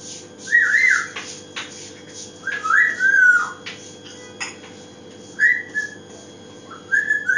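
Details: Pet African grey parrot recorded indoors, giving short whistled calls around mid pitch, rising then falling, in bursts separated by pauses of one to two seconds, with faint clicks and room hum.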